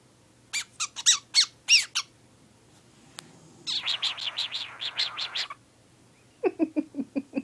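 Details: Pet lutino cockatiel indoors, producing a newly learned sound: sharp clicking chirps, then a rapid buzzy rattling series, then quick lower repeated notes. A dog's heavy snoring breath murmurs low in the background.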